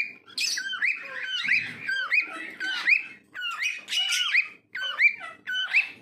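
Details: A pet cockatiel (Nymphicus hollandicus), whistling while dancing, gives a run of bright, rising and falling notes in quick phrases.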